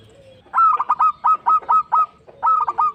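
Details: Zebra dove, a local bird, singing to prompt other birds to sing; rapid series of rolled cooing notes, about seven in a burst, then a pause and a final rolling phrase with a trailing note.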